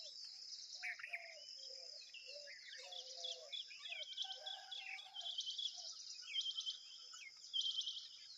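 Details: Tailorbird chicks being fed a big worm give thin, high chirps and squeaks that build into excited bursts near the end, over a steady shrill insect drone and a few lower bird notes.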